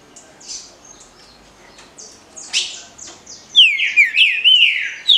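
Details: Paraná liso batido style song from a green-winged saltator. Soft scattered chirps lead into a strong burst of rapid whistled phrases that rise and fall, repeated about every half second near the end.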